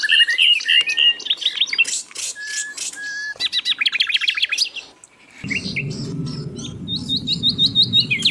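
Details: Steady-singing Asian brown flycatcher on a songbird tutor track: varied high whistles, short trills and bursts of rapid chirping, with a low hum entering midway beneath the notes.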